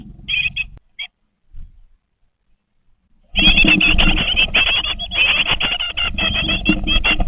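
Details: Great tit nestlings, 20 days old, in a nest box: a few short buzzy chirps, near silence, then a sudden loud, dense chorus of harsh rasping calls mixed with rustling that continues to the end.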